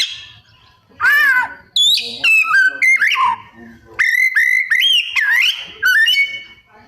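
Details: Oriental magpie-robin singing a lively song packed with imitated calls of other birds: loud slurred whistles that rise and fall, sharp upward sweeps and held clear notes, delivered in bursts with brief pauses between phrases.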